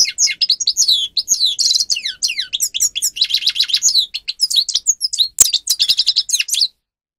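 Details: Song of a grey-crowned goldfinch used to train captive birds, an unbroken run of rapid twittering notes mixed with buzzy rattles and sharp falling whistles, bright and high, ending abruptly in silence.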